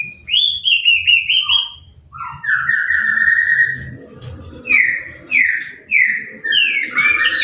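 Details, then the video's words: Orange-headed thrush, a caged bird freshly out of moult and sprayed with a hose, singing without a cage cover: clear, loud whistled notes sliding down in pitch, repeated in short separate phrases with thin high chips between them. "Anis Merah Sehabis Mabung Mandinya Disemprot Selang , Gak Pakai Kerodong , Bisa Langsung Berbunyi"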